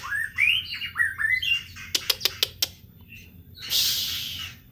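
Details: White-rumped shama song played to lure birds at home: rising whistled notes in quick groups, then four sharp clicks, ending in a harsh hissing burst.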